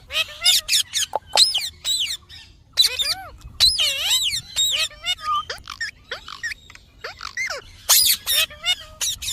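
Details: Parrot delivering a dense stream of high, squeaky, speech-like syllables and shrill sweeping notes in short bursts about every second, with brief silences between.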